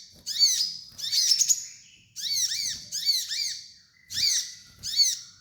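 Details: Kolibri ninja sunbird training master: dense, harsh chattering phrases of rapid, curving high squeaks layered over lower arching notes, two or three per phrase, separated by brief pauses.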